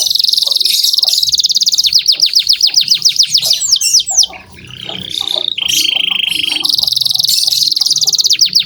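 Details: Vigorously singing canary, song used as a lure to train young canaries: rapid falling sweeps repeated several times a second, a dense buzzy trill, a steady whistled tone held about a second, then the buzzy trill resumes.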